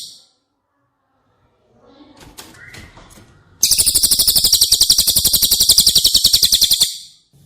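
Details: Cililin recorded as teaching material for caged White-rumped shamas: a few faint chirps, then a loud, rapid, high-pitched buzzy trill of regularly repeated notes lasting over three seconds.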